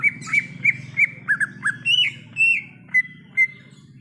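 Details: Greater green leafbird singing in the wild: varied clear whistled notes, some with downward slurs, others rising and falling, loosely spaced over a low droning background.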